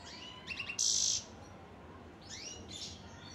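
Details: European goldfinch singing: quick twittering high notes and sliding whistles, then a loud harsh buzzy burst, followed by more rising liquid twitters over a steady background hiss.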